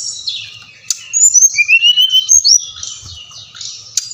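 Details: Brown-chested jungle flycatcher song for prompting captive birds to sing: a high buzzy start, then a long clear whistle rising steadily, followed by bright slurred notes and a scratchy warble with a sharp click near the end.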